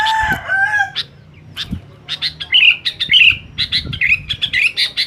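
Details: Sooty-headed bulbul calling noisily to challenge rivals, its buzzy, warbling chatter filling the second half, after a lower, drawn-out call from another bird and background rumble at the start.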